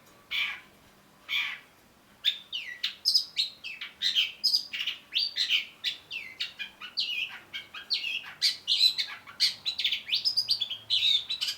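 A Long-tailed Shrike sings a fast, continuous medley of scratchy chatter and sharp high whistles, after two brief harsh notes at the start.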